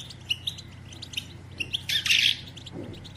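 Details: Female European goldfinch twittering call, the kind used to stimulate males to sing and mate: scattered short high chirps and tinkling notes, with a brief broad rushing burst near the two-second mark and a faint low hum throughout.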